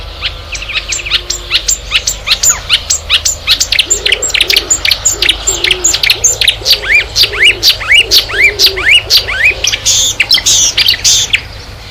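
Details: Loud, energetic Marsh warbler song: quick high chirps mixed with repeated upswept and downswept whistles, around two phrases per second, with faint lower warbling notes underneath. The species breeds in temperate Europe and incorporates imitations of other birds.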